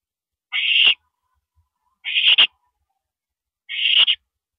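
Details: Owl screeching at a mouse delivery, 9:17 PM on April 13 2012: three rough, hissy screeches about a second and a half apart, each roughly half a second long and ending raggedly.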